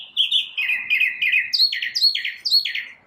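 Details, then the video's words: A single bird singing in the morning, its identity unknown: a fast run of bright chirped phrases, each a quick burst of repeated notes dropping in pitch, coming in steady succession with a clean, quiet background. "Birds chirping | Bird chirping sounds | Bird singing | Morning bird sounds"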